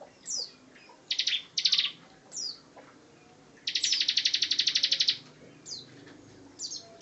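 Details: Ngebren-style singing from a Bar-winged prinia master bird: sharp downslurred notes and short buzzy bursts lead into a long, steady trill of rapid high pulses about one and a half seconds long.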